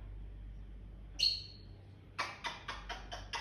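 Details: Morning sounds from a pet African grey parrot indoors: a brief high whistle, a pause, then six sharp clicking chirps repeated roughly every quarter second, with a quiet room behind them.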